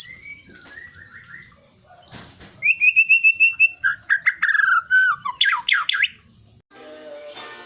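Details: White-rumped shama singing, a lure recording for morning and evening: soft whistled phrases, then a burst of fast repeated notes and loud sweeping, slurred whistles, ending in a faint buzzy rattle.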